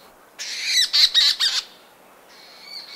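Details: Leach's storm petrel leaving its burrow near dawn: a burst of four or five rapid, harsh, purring chatter notes, followed after a pause by a thin, drawn-out, high tone against a quiet background.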